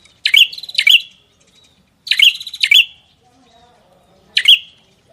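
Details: A songbird meant for song practice gives paired sharp, rising chirps with buzzy trailing tails, then a lone chirp after a quiet gap, against a calm background.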